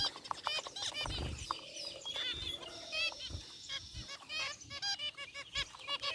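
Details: Several zebra finches chirping in their cage, gray and white varieties: busy stream of nasal, buzzy beeps and trumpet-like notes, steady chatter throughout.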